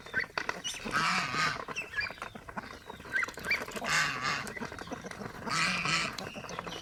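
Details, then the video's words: Several pet domestic geese honking in loud, rasping bursts, each lasting about half a second and repeated at uneven intervals, over a busy backdrop of clicks and soft chatter. "enjoying pet Goose"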